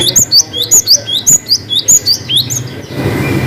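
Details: Cinereous tit delivering a sustained gacor phrase of long 'wucit' notes with 'ngalas' variation: rapid, rhythmic high whistles, each a short down-slurred pair, repeated roughly a dozen times before fading to hiss.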